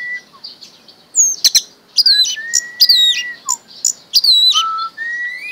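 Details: A pet orange-headed thrush, kept since young, in energetic, varied song: high descending whistles, sharp clicking notes and long level whistles, delivered in quick bursts with short pauses.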